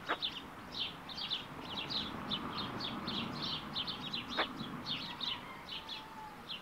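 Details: Week-old smew ducklings with their mother give a steady stream of thin, high peeping notes, several a second, over a low background rumble with a couple of sharp clicks.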